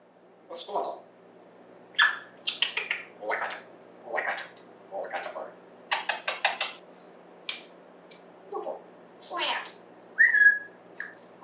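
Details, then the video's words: Apollo, a pet African grey parrot, talks on 14 September 2024: short bursts of speech-like syllables mixed with clicks and a clear whistled note, in a quiet room. "Apollo Talking"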